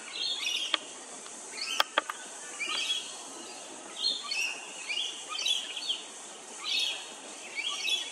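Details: Rainbow lorikeet at Hervey Bay, Queensland: short harsh screechy bursts, high and grating, repeated roughly every second in uneven runs, with a few sharp clicks early on over a steady high hiss of background noise.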